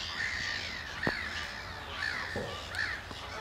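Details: Eurasian oystercatchers at Amwell Nature Reserve in April 2014 during a piping display give loud, shrill piping calls, about one per second, over steady wind-like hiss with a few knocks.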